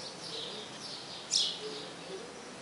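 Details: A house sparrow calling its mate to the nest gives a single abrupt, high chirp midway, with softer distant chirps and low hiss around it.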